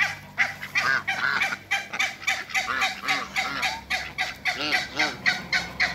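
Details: Two couples of African geese meeting Muscovy ducks: a jumbled, overlapping chorus of harsh honks and lower grunting notes from several birds at once.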